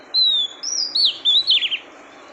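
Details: A single phrase from a female oriental magpie-robin stimulating the male: a long, high, gently falling whistle, then two bright upslurred notes and a fast burst of warbled, wavering notes.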